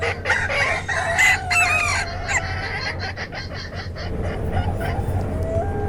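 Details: Chicken flock of mixed types: a rooster's harmonic crow rises over scattered clucking, then quick repeated clucks fade into softer calls over a low background drone.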